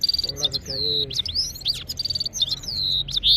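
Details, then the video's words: A single red-fronted serin sings a fast, high jingling song of tinkling trills, buzzy notes and quick slurred whistles, with hardly a pause. "Gulsar singing voice"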